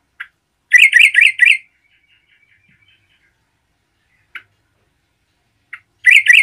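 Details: Yellow-vented bulbul in full song meant to provoke other bulbuls: a quick burst of four bubbly, gurgling notes around one second, a faint single chirp later, then another rapid bubbly burst at the end.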